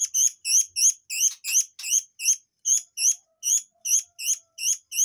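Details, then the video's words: Training song of the murai air for white-rumped shamas: a steady string of piercing, upward-hooked chirps, about three each second, evenly spaced and loud. "TEMBAKAN BURUNG AIR MANCUR / MURAI AIR"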